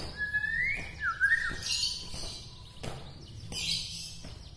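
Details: Bahorok white-rumped shama from Medan, said to excite other shamas: a smooth rising whistle, a twisting lower note, then softer high warbled phrases over background hiss.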